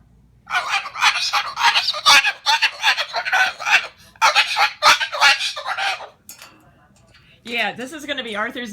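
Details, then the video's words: Captive Moluccan cockatoo indoors by the kitchen table, angry after its nest of shredded fruit and vegetables was cleaned away. It gives harsh, raspy screeching bursts in rapid repeated runs for about six seconds, followed by a person's voice. "Misha the Moluccan is an angry bird"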